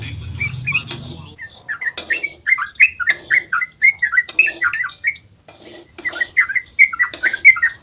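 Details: Sooty-headed bulbul in long dawn 'ropel' song, meant to provoke rival bulbuls into answering; bursts of fluty, slurred notes in rapid clusters separated by short gaps, with a low hum at the start.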